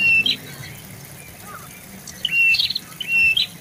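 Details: Prinia, called prenjak bawah or lumut, uttering three loud, high, flat whistled notes, each ending in a sharp upturned twist, separated by a long quiet gap and then given in quick succession.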